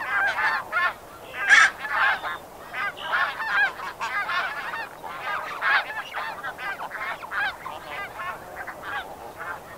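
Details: Snow geese give close-up flight calls with flock calls from medium distance: a dense stream of nasal, yelping honks overlapping continuously, with an Eastern meadowlark calling in the background.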